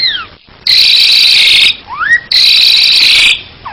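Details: Asian pied starling song: two long, loud harsh rasping bursts, each led by a sliding whistle, one falling and one rising, with quieter gaps between.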